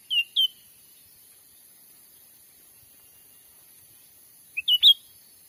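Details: Cucak ranting lure call used for trapping wild birds in Sumatran forest: two short whistled phrases, each a brief low note then clear notes rising and falling, separated by about four seconds of silence; steady high hiss behind.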